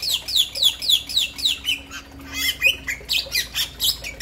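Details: Bali myna, male and female named: steady rhythmic series of harsh, descending squawky notes about four per second, briefly pausing near two seconds before resuming with mixed whistled and rasping notes.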